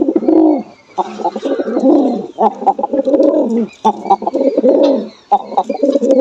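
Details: Jalali pigeons in Bangladesh, a pair among them, giving deep, throaty coos that rise and fall in overlapping rounds, with short pauses between bursts and faint higher chirps in the background.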